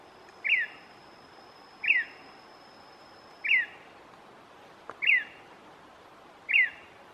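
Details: Gray-breasted wood-wren (Henicorhina leucophrys) in the undergrowth of tall pine forest in Cusuco National Park, Cortés, Honduras, on 4 April 2019, agitated after playback, gives short, sharp, slurred notes about every 1.5 seconds over a thin high hum.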